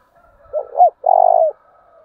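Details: Spotted dove decoy bird giving the deep 'chìm' style coo used to stir and train other doves: two short rising hoots, then one long, even, slightly wavering coo fading down at the end, with faint soft cooing before and after.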